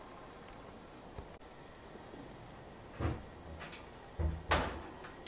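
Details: Quiet indoor room tone broken by a few soft thumps and sharp clicks like a door or cupboard moving, with no animal call heard.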